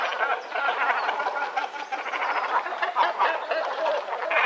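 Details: Great cormorants, with an unusual immature Continental bird (Phalacrocorax carbo sinensis) among them, give harsh, guttural croaks and gargling grunts that overlap almost continuously, like a busy colony, at Montemor-o-Velho, Portugal, on 26 March 2012.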